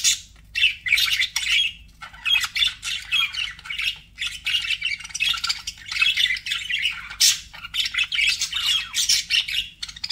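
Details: Pet budgies chatter loudly and almost without pause, a rapid jumble of raspy chirps, squeaks and short whistled notes repeating in quick pulses.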